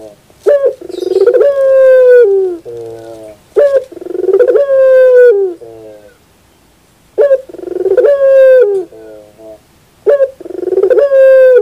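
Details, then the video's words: Pelung-style morning cooing of a Barbary dove (puter): four phrases of sharp note, long sustained resonant coo sinking at the end and a lower rolling tail, with a longer pause mid-clip. "the beauty of the sound of puter pelung in the morning"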